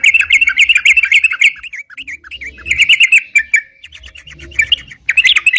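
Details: Sooty-headed bulbul (crucukan) singing energetically for use as a lure, a rapid run of bubbly, warbled notes around the upper-middle register, repeated in quick bursts with brief pauses between phrases.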